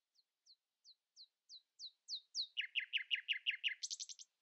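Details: A common nightingale sings at dawn, holding its voice above rivals: spaced high downslurred notes grow louder and faster, turn into a rapid double-pitched chirping series, and finish in a brisk high trill.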